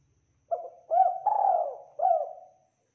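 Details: Tekukur, or spotted dove, in full song on a training recording: one cooing phrase made of a brief opening note, a swelling hooked coo, a long sliding coo and a closing curved coo, clean with no background.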